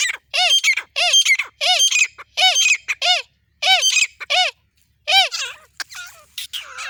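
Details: Female grey francolin from India calling without pause: harsh, ringing, rasping notes in paired bursts, repeated about once a second, then trailing off into softer, irregular squawks.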